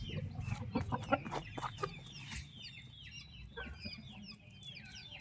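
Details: Healthy turkey chicks with their mother: a busy opening of clucks and knocks gives way to a thinner scatter of high, downward-sliding peeps over low background rumble.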